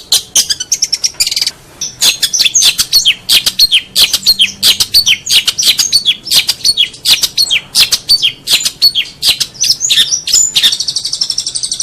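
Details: Long-tailed shrike singing a master recording meant for tutoring songbirds, a dense, varied, rapid chatter of harsh notes that ends in a buzzy trill.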